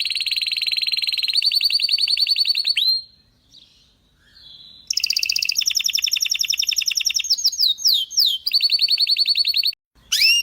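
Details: Belgian canary singing loud, high rolling trills and buzzy repeated notes, with a short quiet gap midway before rapid trilled phrases and quick downward-sweeping whistles resume.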